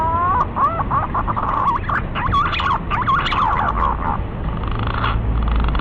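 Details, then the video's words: Green pigeon calling: a run of mellow whistled notes that bend up and down and wobble, given continuously in a quick series over a steady low background hum. "SUARA BURUNG PUNAI"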